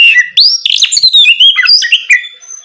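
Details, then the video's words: At night an Oriental magpie-robin delivers continuous bright, rich song meant to encourage other birds to sing, a rapid tumble of sweet whistles, upslurs and trills without pause. "Terapi Kacer ngeplong malam hari untuk pancingan Kacer bahan agar lekas nyaut bunyi"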